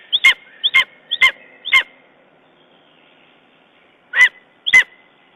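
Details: Lesser spotted eagle in Estonia on 14 June 2011, after being traumatized by a raven: four sharp, clipped yelps about half a second apart, a short silence, then two more yelps in a quiet background.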